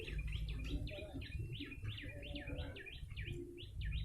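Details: Lure call of a yellow-bellied prinia: quick, bright chirps, each sliding down then flicking up, repeated in an unbroken chain over low-pitched background rumble.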